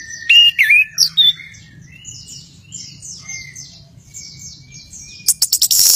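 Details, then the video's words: Orange-headed thrush singing steadily, a kept bird: loud whistled notes at the start, then a soft rambling twitter of thin high notes, ending in a sharp burst of rapid clicking chips. "Anis kembang Gacor Ngeroll"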